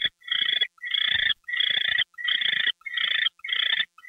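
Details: Owl during a nighttime gopher delivery, 10:43 PM on February 2, 2013: six rasping, hissy bursts of about half a second each, separated by short gaps.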